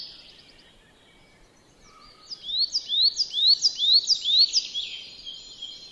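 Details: Coal tit in a Finnish yard at Joroinen: a fast series of high, thin, rising-then-falling notes repeated about twice a second, starting after two seconds of near silence, with faint higher chirps from other birds early on.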